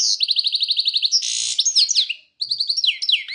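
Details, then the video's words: European goldfinch singing in the Kokil song style: a fast, high, tinkling run of repeated chirps, then a buzzy burst and sliding twittered notes, a brief pause, then another quick chirping trill. No other sounds are heard. "Пение Щегла Кокил"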